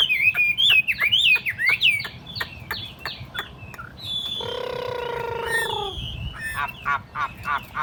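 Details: Hand-carried tame Chinese hwamei on a table, delivering a quick series of looping whistled notes. Later a flat, low, buzzing harmonic drone takes over, then short chirps return.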